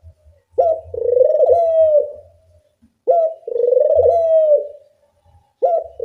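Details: Clear puter dove coos played as a lure to teach doves to call. Two long, level coos that trail off, each led by a short clipped note, are separated by near-silence; a third begins at the end.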